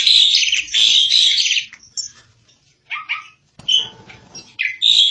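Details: Loud grating phrases from a singing Asian pied starling open the clip, followed by sparse down-slurred squeaks, a short silence, then renewed scratchy chatter and harsh buzzy notes.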